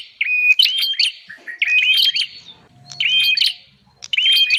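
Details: Bar-winged prinia lure call for drawing in wild birds: whistled rising-and-falling notes with clicks, in phrases repeated about every second and a half, with quiet stretches between them.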